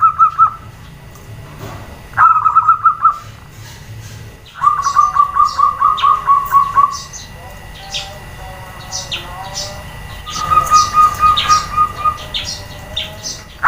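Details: Female zebra dove calling to prompt males to answer: several bursts of rapid, evenly pulsed mid-pitched notes, each run lasting about one to two seconds, separated by quieter gaps with faint higher chirps in the background.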